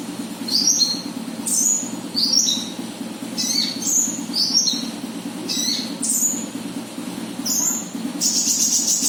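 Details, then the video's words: Konin bird lure call: sharp, high chirps in short clusters every second or so, with a brief buzzy note near the end, over a steady low hum. "suara pancingan burung konin"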